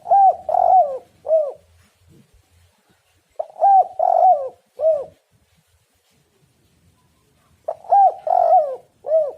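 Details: Spotted dove lure recording: a repeated phrase of four arched, hollow coos, short-short-long-short, given three times with pauses of about two seconds between, in a quiet background.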